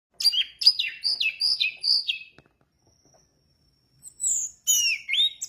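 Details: Orange-headed thrush singing in lively, full-voiced 'gacor dor teler' style: a quick run of about nine high whistled notes stepping downward over two seconds, a short silence, then further bright, varied whistled phrases.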